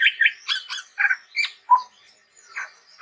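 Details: Chestnut-rumped babbler (tepus tunggir merah) in gacor song: a string of scratchy, chattering notes mixed with a clear short whistle, then softer harsh notes after a brief pause.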